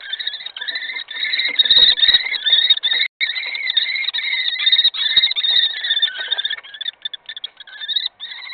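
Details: Common kestrels at a nest in Brest, on 26 April 2018, fight over prey with a nearly unbroken stream of shrill, whining squeals and chittering, several overlapping voices wavering rapidly in pitch.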